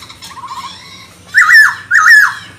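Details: Chinese hwamei song used to stir other birds into singing: soft quavering notes, then two loud, full whistled phrases with a wavering rise and fall, half a second apart.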